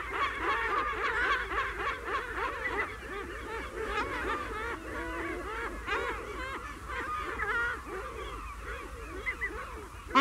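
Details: Herring gulls in a colony, recorded close up, give long calls and mew calls: loud, laughing, harsh yelping notes tumbling over one another as many birds call at once.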